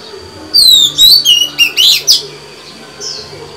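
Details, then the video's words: Female white-rumped shama singing to stimulate males: loud whistled phrases with slurred descending and rising notes, then short sharp chirps, and a brief whistle near the end. "Chòe than mái hót, kích bổi mau căng lửa! Betina kicau kacer !"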